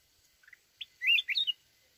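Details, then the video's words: Mountain red-whiskered bulbul with a wild-style song: a couple of soft introductory chips, then a loud, rolling phrase of slurred, rising whistles, sweet and bubbly, ending abruptly. "chào mào núi@ hót giọng rừng kích bổi."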